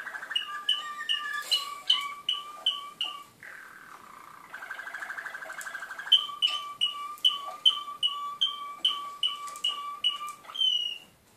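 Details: Malinois canary song made of short whistled notes repeated about twice a second, each with a lower echoing note, broken by a dense rolled trill in the middle before the repeated notes return.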